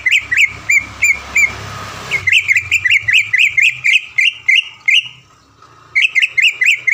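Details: Greater green leafbird used as a training master for caged birds in Palembang repeats looping whistled notes, starting spaced then quickening into a fast even string, with one pause near the end.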